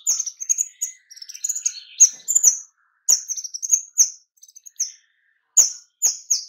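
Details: White-rumped shama giving dense lure calls meant to draw other shamas: clusters of clear, high, slurred whistles and sharp clicks, broken by a short pause before more loud, even whistled notes.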